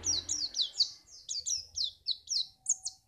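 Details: White-eye recorded in Pacitan, Indonesia, used to make other birds sing for contests: quick series of high, sharply descending chirps, about three per second, each clear and bright, with faint low hum underneath.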